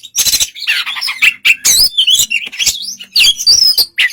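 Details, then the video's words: Oriental magpie-robin singing relaxed to provoke a less eager rival; a dense, continuous tumble of warbled, twisting notes and harsh squeaks with almost no pauses. "suara kacer santai memancing kacer yg kurang emosi/Fightr"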